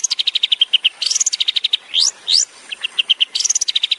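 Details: Long-tailed shrike song used as a master recording for training songbirds, in the rapid 'tembakan' style: fast runs of short high chips, two sweeping whistled rises and brief buzzy trills in quick succession.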